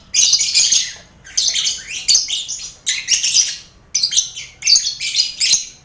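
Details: Busy colony cage of lovebirds mixed with finches and quail, for mental conditioning before bird contests; scratchy high chattering in about six bursts, each under a second, separated by brief pauses.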